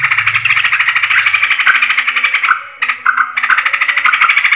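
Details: Lure sound of yellow-vented bulbul, 20 July 2024: fast, rhythmic chattering in quick pulses with a short dip midway, and a low hum fading out early.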